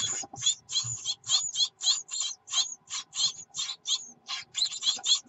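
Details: Great tit nestlings, 24 June 2019, begging when the mother comes with food: rhythmic, grating high-pitched buzzes, roughly three or four a second, some doubled, with faint rustling early on.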